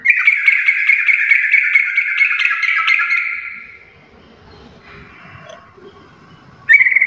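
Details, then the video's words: Yellow-vented bulbul (trucuk) singing actively in the full garuda style: a loud, rapid chattering run of sharp repeated notes for about three and a half seconds, a quiet pause, then another burst starting at the end. "trucukan gacor full Garuda parah"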